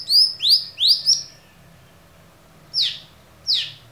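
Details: Cucak cungkok giving a clear song for training other songbirds: four loud rising whistled notes with bright overtones, then a pause and two sharp descending slurred notes.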